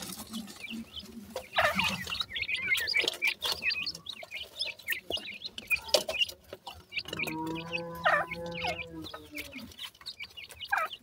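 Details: Black francolin chicks playing, trading sharp high cheeps and twittering bursts, joined midway by a brief humming harmonic tone before the chirping continues.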